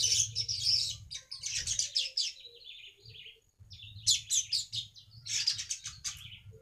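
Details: Weavers sing to draw in wild birds as a lure. Bursts of high, scratchy, buzzing chatter come in clusters with a short gap near the middle, over a faint low background hum.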